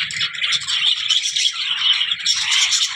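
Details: Budgerigar twittering steadily, a bright rolling warble of fast chirps that swells slightly toward the end, with light low rustling behind it.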